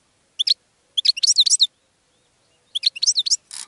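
A goldfinch sings bright, tinkling twitters and high chirps in two quick bursts, with a short pause between them; nothing else is heard.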